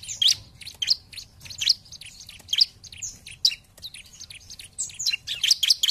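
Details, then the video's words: Gacor bar-winged prinia song for luring an opponent: a steady run of bright, clipped high notes, roughly two per second, growing denser and faster toward the end. "Pancingan Ciblek Paling Dicari ! Lawan Langsung Gacor"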